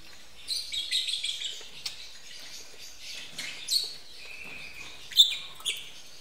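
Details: Lovebirds mating at a bird breeding facility; harsh, buzzy high chattering comes in uneven bursts with short squeaky notes between them and a few quieter whistles near the end.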